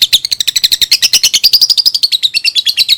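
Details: Pet lovebird chattering song for teaching young birds: a continuous rapid string of high, rasping chirps, roughly ten per second, with slight rises and falls in pitch across three seconds.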